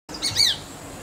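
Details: Male Jerdon's leafbird calling, a call used to attract a mate or establish territory: one clear, high whistled note that slides downward, with a softer chirp just before it, over faint background hiss.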